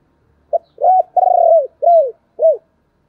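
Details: Spotted dove used as a decoy, calling: a series of five low, hollow cooing notes, each arched and falling, with the long middle note softly pulsed, over roughly two seconds in quiet surroundings.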